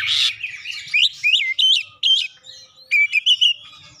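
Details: Oriental magpie-robin song filled with imitated gelatik batu (cinereous tit) phrases: a harsh opening burst, then loud clear whistled notes in quick bursts, some rising and falling, grouped with short pauses.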